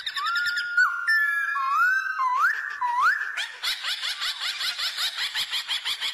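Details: White-cheeked laughingthrush, female rolling call for stimulating pet birds: sliding whistled notes rising and falling, then a dense, rhythmic, laughing chatter of rough overlapping notes, about one and a half per second.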